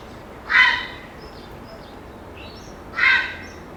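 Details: A group of four to five grey herons roosting in a conifer tree in an urban area, recorded on 25 May 2021 with an Audiomoth: two harsh, hoarse squawks about two and a half seconds apart, with faint higher chirps between.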